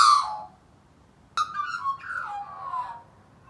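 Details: Australian magpie in care at a native rescue trading song with neighbouring wild magpies: a loud falling whistle, a pause, then a burst of liquid warbled phrases sliding downward.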